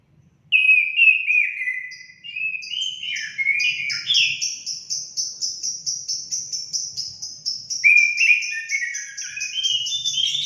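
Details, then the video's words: Orange-headed thrush song used as therapy to make caged birds sing: varied whistled warbling opens, then a long run of quick high repeated notes with fluttering whistles beneath, ending in another slurred phrase. "Langsung nyaut gacor anis kembang anda"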